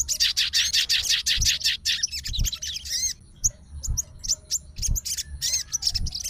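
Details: Fighter sooty-headed bulbul, emotional and fluttering, responding straight away to a rival: fast harsh chatter for two seconds, then spaced scratchy chirps and arched whistles every half second or so, amid soft thumps.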